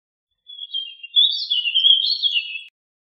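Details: Warbling vireo sings one smooth, flowing warble. It starts softly, swells in loudness and wanders through connected high, slurred notes for about two seconds before stopping abruptly.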